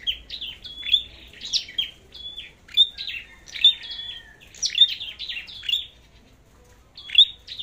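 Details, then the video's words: Flowerpecker singing competitively: a rapid run of high, piercing, metallic notes in short bunches about once a second, pausing briefly before a final burst, with little background noise. "Chim Sâu Đầu Đỏ Hót Đấu"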